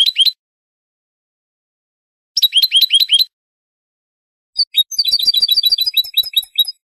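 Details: European goldfinch on a tutoring recording for cage birds, singing in short separated bursts of quick tinkling chirps, with silent pauses between, ending in a longer twittering run.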